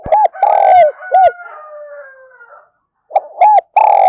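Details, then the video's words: Decoy spotted dove, 'thổ pha thúc' voice, calling to lure wild doves: rapid low coos with a long middle note, a faint drawn-out descending whistle trailing behind, then a fresh burst of coos. "Tiếng chim cu gáy mồi giọng thổ pha thúc rất sung"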